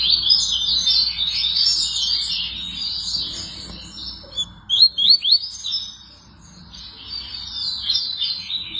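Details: Double-collared seedeater singing: a rapid, continuous run of high, twittering and chirping notes with quick slurred sweeps, loudest in bursts near the middle, with a faint low hum underneath.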